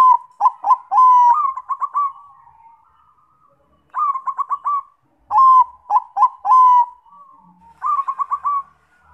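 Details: Zebra dove of the Bangkok type, a lure recording meant to prompt other doves to sing: soft rolling coos open each phrase, then rapid stuttering notes end in a trill, with four phrases separated by short pauses.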